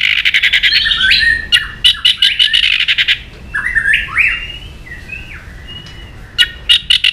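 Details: White-rumped shama singing to provoke aggression in other birds: rapid harsh rattles alternate with sweeping, rising whistled phrases and softer warbles, then a closing burst of scratchy notes.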